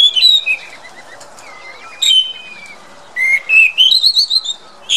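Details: Chestnut-backed thrush, Zoothera dohertyi: clear whistled phrases that slide down and then climb, arriving in short bursts with pauses between them. The opening and closing notes are bright and a little buzzy. The background is quiet.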